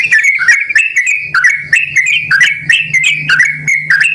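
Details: Lure call of an energetic yellow-vented bulbul, meant to draw replies from other bulbuls; liquid chirping whistles in short bursts, some notes held level, with a low droning hum in the background.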